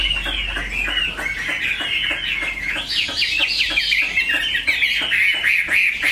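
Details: Caged Chinese hwamei singing a dense, busy stream of rapid chattering and whistled notes, somewhat rough and crowded, with steady clicking pulses running underneath.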